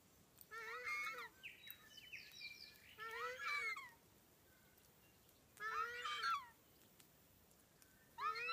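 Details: Takahē, a critically endangered native bird, three together in the predator-free open sanctuary of Tawharanui Regional Park north of Auckland. Loud, honking, harmonic calls with squealing overtones come in four bouts roughly every two to three seconds, with quiet gaps between.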